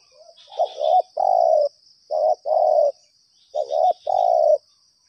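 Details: Lured spotted dove calling persistently: three soft, hoarse cooing phrases roughly one and a half seconds apart, each a quick double note followed by a sustained low coo.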